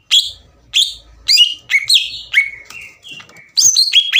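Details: Green leafbird singing steadily to rile rival birds: separate sharp downslurred whistles about every half second, then sustained level whistles, ending with a quick burst of chips.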